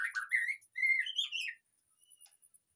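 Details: Short burst of white-rumped shama song played as a lure so a caged bird will start singing freely: a chattered opening, then a long clear whistle rising into warbled notes, fading to near silence.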